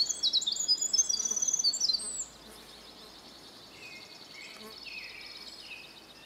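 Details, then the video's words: A Winter Wren sings a bright, very high, rapid tumble of trills and twitters for about two seconds, then fainter, thinner notes over soft hiss; it is similar to the Pacific Wren's song but less shrill and mechanical. "let's listen to the song of the Winter Wren."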